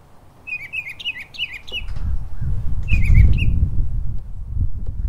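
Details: Florida mockingbird in a backyard before school delivering a string of quick repeated chirped notes, a pause, then a shorter burst, while a loud low rumble like wind or traffic builds underneath.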